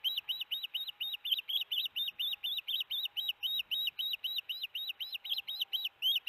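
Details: Osprey at the Hellgate nest camera bringing a big fish to the nest, June 13, 2018, 4:30pm MDT: a rapid, steady series of high, arched whistled chirps, about three per second, continuing throughout with little background noise.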